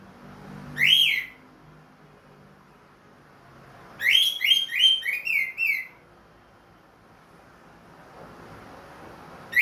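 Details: Orange-headed thrush in captivity, recovered from moult and singing keenly in open 'plong' manner: one sharp whistle, a pause of three seconds, then a rapid run of six buzzy whistled notes.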